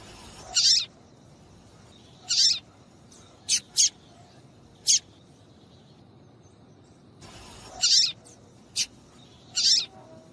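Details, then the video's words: Female papa-capim (Double-collared Seedeater) calling to prompt male song: around nine short, shrill chirps in loose clusters, with a quiet gap in the middle. "PIADO DE FÊMEA DE PAPA CAPIM PARA DEIXAR SEU PAPA-CAPIM DOIDO PARA CANTAR LOGO!"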